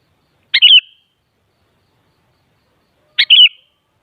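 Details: Sooty-headed bulbul, known locally as kutilang, singing, played to get other kutilang birds to answer and sing. Two short bright chirpy phrases roughly two and a half seconds apart, each a quick burst of rising and falling notes, in silence otherwise.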